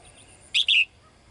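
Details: Female bird calling the male: one loud two-note chirp, a short sharp note followed by a slightly longer one, over a quiet background.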